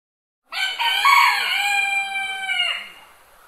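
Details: Small domestic rooster crowing in the morning: one loud, harsh cock-a-doodle-doo that holds steady and then drops off.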